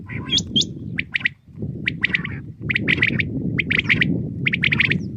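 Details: Common quail (batair) calling in the morning, short clustered notes repeated in quick groups, mixed with higher hooked chirps from another bird over a steady low rumble.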